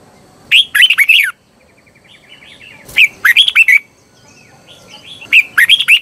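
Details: Red-whiskered bulbul singing as a decoy for wild birds: three quick bursts of loud, bubbling whistled phrases roughly two seconds apart, with soft chattering and chips in the gaps.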